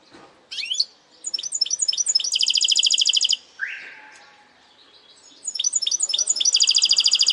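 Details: Goldfinch hybrid in segmented song: quick twittering chirps lead into a fast, buzzy rattling trill, a brief pause with a softer rising note, then the twitter-and-trill phrase begins again.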